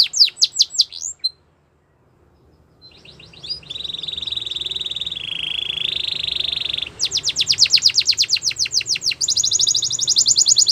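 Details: Canary singing for training young birds: a brief burst of sweeping notes, then a pause, then a steady buzzy held tone and rapid rolling trills of high whistled notes, with faint background hiss.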